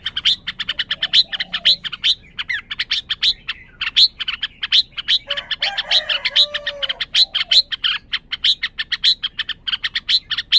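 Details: Red-whiskered bulbul producing a continuous rapid train of short sharp chirps across the whole stretch, with softer lower warbled sounds underneath at times.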